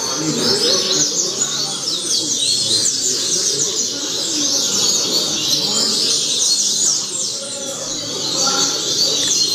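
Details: Rusty-collared seedeater tutor song, played so young birds can learn it: a dense, fast run of high chirping, sweeping notes, repeated over a steady hiss, with a murmur of lower sounds beneath.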